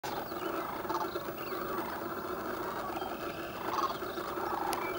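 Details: Sandhill cranes waking in thick fog on the Platte River south of Gibbon, Nebraska: a dense, continuous chorus of many birds, rolling, rattling calls overlapping into a steady murmur with no pauses.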